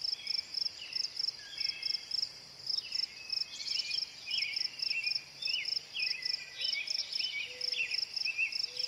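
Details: American robin song of clear, rising and falling caroled phrases, delivered in quick succession over a loud, evenly pulsed insect chirp repeating several times a second.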